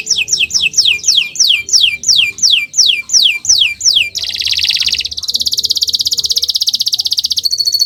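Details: Domestic canary singing a long, intense song meant as a tutor recording for other birds: about a dozen descending high whistled notes repeated rapidly, then a fast buzzy trill and a thin high rattling trill.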